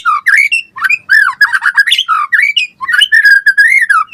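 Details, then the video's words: White-rumped shama in rich 'full isian' song for luring and tutoring: dense, varied, slightly harsh whistled phrases, rapid swoops and chatter with almost no pause. "Suara Murai Batu Gacor cepat RESPON NYAUT buat Pancingan Masteran Burung Murai Biar Gacor Full Isian"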